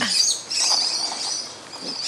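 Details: Flock of musk lorikeets making a ruckus while feeding in a front-yard tree on Christmas morning; continuous piercing, high-pitched screeching chatter with short pauses, loud and close.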